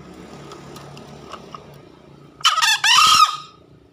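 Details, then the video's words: Lure crow of a green junglefowl after quiet background: a brief rasping first syllable, a short pause, then a longer harsh note that trails off. "Suara Pikat Ori Ayam Hutan Hijau Master GACOR"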